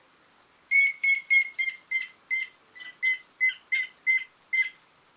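About eleven clear, whistled notes, starting quickly and slowing gradually, sagging slightly in pitch. A faint thin high note from another bird precedes them.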